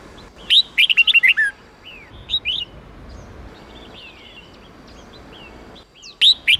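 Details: Red-whiskered bulbul singing a training song in the 8-9-10 note style. It opens with a quick jumble of bright warbled whistles, followed by softer slurred notes over a steady hiss, and ends with a short loud whistled phrase.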